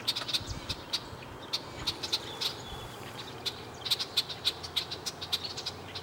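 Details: A male and female red-winged blackbird sitting around give sharp, dry check notes, irregular and often in quick pairs, about two or three a second, over a faint low rumble with one thin whistle.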